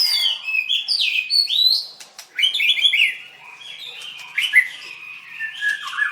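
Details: {'caption': 'Dancing White-rumped shama at a singing contest, 7/25/16: loud cascade of sweet whistled slurs and trills, phrases sliding through bright rising and falling notes, with a sharp click and softer trailing warble.'}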